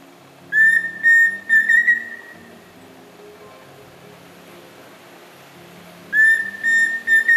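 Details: Pheasant cuckoo song: a phrase of three clear whistled notes, the last one drawn out and slightly rising, then a pause of several seconds before the three-note phrase starts again. The background is quiet.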